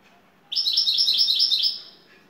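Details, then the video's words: Top-class Turkish European goldfinch singing şakşaklı: a single unbroken phrase of fast, crisp, high repeated notes lasting over a second, fading at the end against a faint room hum. "TR Baş kuşu 🇹🇷 Şakşaklı Saka kuşu"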